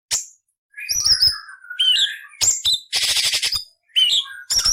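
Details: A cucak cungkok delivers its training song for other songbirds: mixed whistled slurs and lower warbling notes, then a dense harsh rasping burst and more sharp whistles.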